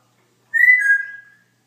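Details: Pet Congo African grey parrot giving one clear whistle that starts high and steps slightly down, held for almost a second before fading.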